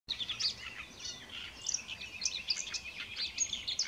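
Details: A great reed warbler sings, unseen, at Rači Potok, Košice, Slovakia, on 10 May 2020: a fast, chattering run of harsh, scratchy notes mixed with squeaky higher chirps, continuing without a break over faint background hiss.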